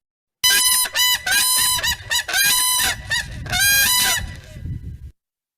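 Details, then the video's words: A pair of Whooping Cranes gives a unison call, two birds calling at the same time in loud, bugling, overlapping whoops in rapid ringing bursts for about five seconds. "call that we have that's again going to be that Unison call so you'll hear two birds calling at the same time"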